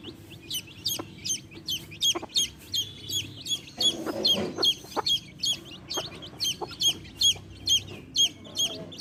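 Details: A hen with baby chicks; several chicks peep continuously, shrill falling notes overlapping in a busy stream, with a brief rustle or scuffle midway.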